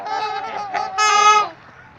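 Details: Close trumpeter swan at Gallup Park, Ann Arbor, Michigan: a drawn-out nasal honk, a short second note, then a loud brassy trumpet of about half a second, followed by quiet.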